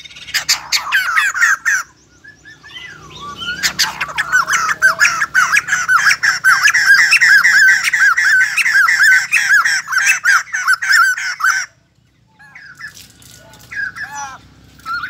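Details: White-crested laughingthrush singing and dancing like a ballet dancer: an opening chatter, a short gap, then a long, loud rolling cascade of harsh laughing notes lasting about eight seconds, followed by sparse softer calls.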